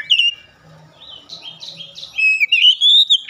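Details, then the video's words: Oriental magpie-robin (kacer) singing in full 'gacor ngeplong' style with its beak opened wide: clear whistled notes, a run of buzzy repeated phrases, then sliding whistles rising toward the end, quiet low hum beneath. "Kacer langsung gacor ngeplong buka paruh dengan lebar"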